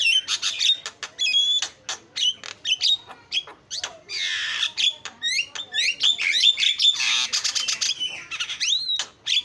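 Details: Continuous Javan myna song of mixed harsh rasps, snapping clicks and upward-swept whistles, with longer noisy squawks woven among quick repeated notes.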